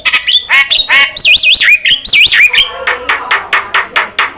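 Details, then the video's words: Starling (jalak) on a training recording: chirps and squawks, then wavering, zigzagging whistled phrases, followed by a rapid series of harsh rasping notes repeated about four times a second. "PANCINGAN DAN MASTERAN BURUNG JALAK"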